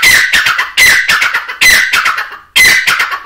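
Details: Grey francolin, hunting setting, giving loud, coarse, ringing phrases of several rapid notes, each phrase roughly 0.8 seconds long and repeated back to back.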